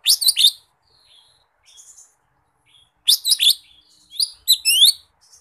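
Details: Wild lesser green leafbird calling to a rival: loud clusters of sharp, high chirps and quick rising and falling whistled notes, in bursts with short pauses and a few softer notes between.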